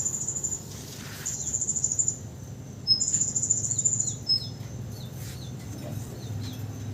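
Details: Freshly moulted canary used as a vocal tutor, singing strongly again right after moulting: two bright, high trilled phrases followed by a run of short, repeated, falling chirps, with faint low hum behind.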